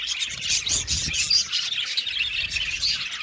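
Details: Budgerigars twittering together, fast high chirps and squeaky warbled notes layered over one another in a lively unbroken chatter.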